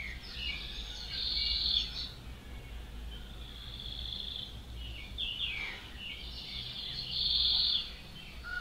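Common Nightingale singing rich, varied phrases of whistles and quick trills in bursts a few seconds apart, over a steady low background rumble.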